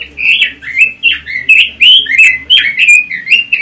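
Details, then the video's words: Robin (Pekin robin) singing in the chattering ngoceh style: a rapid run of warbled, slurred whistles, rising and falling notes tumbling several per second, with sharp high ticks mixed in and no other sounds. "Suara Kicau Burung ROBIN - Ngoceh"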